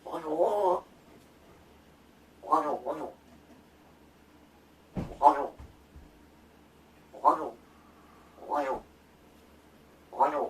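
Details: Large-billed crow kept as a rescued bird, rehearsing calls and mimicked words like good morning and food while its keeper feigns sleep; six throaty, harmonic caw-like notes spaced every one to two seconds, plus a brief knock.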